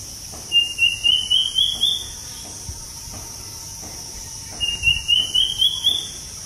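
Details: Bird chirping: two bursts of about six quick, high chirps climbing steadily in pitch, separated by a pause of roughly two and a half seconds, over a constant high insect-like hiss and a faint low hum.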